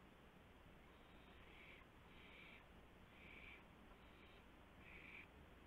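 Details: Owl at a nest around 1:00 AM on 24 March 2016, with a gopher brought as prey. Five soft, breathy rasping hisses come at uneven intervals against a quiet background.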